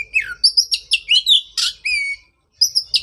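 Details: Oriental magpie-robin singing, offered as therapy for a bird that went quiet after moulting; dense run of bright warbled whistles and one harsh burst, a brief pause, then more high notes.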